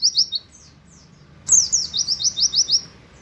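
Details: White-eye imitating a canary with 'wit wit' notes: two bursts of rapid, very high, thin chirps, each falling slightly. The second burst is longer, with about eight evenly spaced notes.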